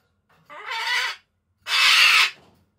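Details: Affectionate calling for its owner by a pet Solomons cockatoo: two harsh, rasping squawks in quick succession. The second is louder and longer than the first.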